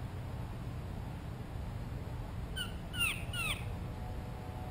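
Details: Blue jay calling very close to the microphone while looking for a peanut: a quick cluster of squeaky, bent, harmonic notes about three seconds in, over a low indoor hum.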